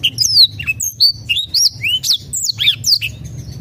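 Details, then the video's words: High, lively black-throated canary song meant to coax silent birds to sing. Clear whistled notes, many sliding downward, follow one another without pause, a few sounding slightly harsh, over a faint low hum. "PANCINGAN BLACKTHROAT MALAS BUNYI"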